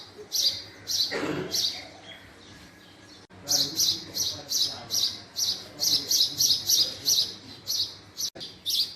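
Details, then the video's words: A male house sparrow gives a steady series of sharp, high chirps, roughly two per second, with a short quiet gap early on before a dense run of repeated notes. "Male Sparrow Sound | Male Sparrow Call | Sparrow Sound Effect | Call Of Male House Sparrow"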